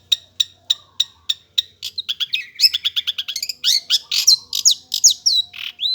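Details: Long-tailed shrike singing energetically: evenly spaced clear high pips that speed up into a quick stuttering series, ending in louder slurred, swooping notes and brief rising whistles.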